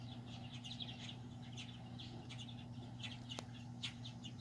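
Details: Purple martin parents feeding their babies, playful while feeding, July 9, 2020: several martins chatter in a steady stream of short, gurgling chirps, overlapping, over a constant low mechanical hum.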